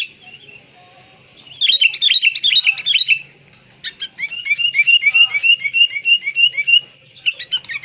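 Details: Sooty-headed bulbul lure call for attracting birds: a short burst of sharp clustered chirps, a brief pause, then a long run of evenly spaced, bright, rising notes repeated about three times a second.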